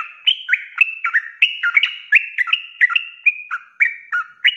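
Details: Sooty-headed bulbul in energetic 'ropelan' singing, a tutor track for cage birds: a busy string of bright, slurred whistles with overlapping phrases and quick upward flicks.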